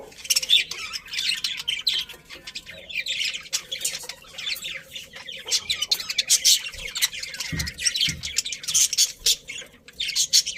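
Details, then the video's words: A colony of pet budgerigars keeps up a constant chorus of overlapping, scratchy chirps and high twitters. The chatter is dense and continuous, with a couple of soft low thumps partway through. "Happy Budgies Chirping Sounds"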